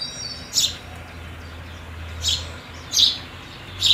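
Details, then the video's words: House sparrow at a feeding spot around New Year 2022, giving four short, bright chirps at an uneven pace, about one every second, over a faint low hum. "House Sparrow Sound"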